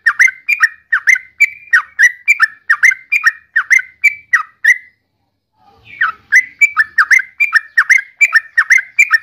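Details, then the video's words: Yellow-vented bulbul pouring out rhythmic bubbly phrases of paired down-slurred notes, pausing about one second midway before resuming at the same pace. "Suara Burung Trucukan"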